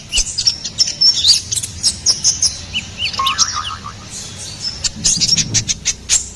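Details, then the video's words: Ruby-cheeked sunbird singing, recorded to tutor and lure songbirds: a high, jumbled twitter of squeaky chirps, with a short lower chattering phrase in the middle. "SUARA GACORAN KONIN KOLIBRI NINJA"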